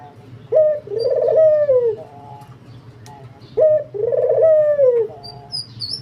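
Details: Spotted dove in vigorous calling form, giving two matching phrases about three seconds apart. Each is a short clear coo followed by a long, rich, downslurred coo. There is a faint high chirp near the end over a low steady hum.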